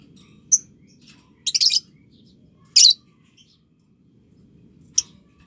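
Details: In a recording meant to coach young lovebirds into ngekek chatter, a lovebird gives scattered piercing chirps, including one short raspy rattle and a loud squeaky burst, with faint twitters and a steady low rumble behind.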